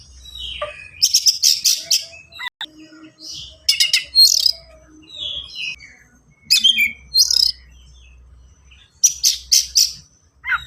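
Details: Oriental magpie-robin in rapid, dense song with sharp bursts, used to lure untrained birds into singing and copying: repeated runs of three to four piercing notes separated by whistled and scratchy phrases.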